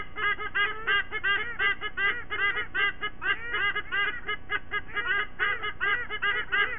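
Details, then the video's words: Two adult white-bellied sea eagles and their chicks perform a morning singing ritual at a nest cam site in Sydney Olympic Park, Australia, 29 September 2023. A steady stream of honking, yelping notes, about two to three each second. "Sydney WB Sea Eagles: SE31 & SE32 sing with Lady & Dad"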